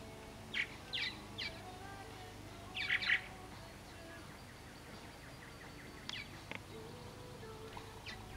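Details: Purple martins from a flock that has returned after a three-year gap give a few short, throaty chirps and gurgles in small bursts, then thin, quick down-slurred notes, over a low steady background hum.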